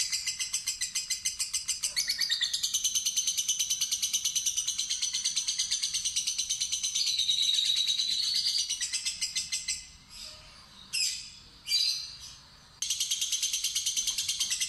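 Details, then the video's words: Fighter lovebird giving long ngekek-ngetik trills: sustained high rattling chatter at about three beats per second, then a pause with a few short squeaky bursts before the trill starts again. "Lovebird Fighter Ngetik Ngekek Terpanjang"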